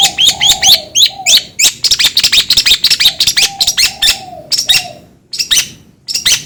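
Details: Long-tailed shrike giving a rapid, irregular series of short, harsh, broadband chirps, about ninety a minute, with brief pauses and a faint low tonal hum underneath.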